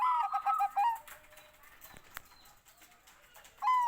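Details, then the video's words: Zebra dove of the Bangkok type ending a song phrase of quick, evenly pulsed mid-pitched coos and a drawn-out closing note, then quiet rustling before another phrase begins. "OCEHAN BURUNG PERKUTUT BANGKOK"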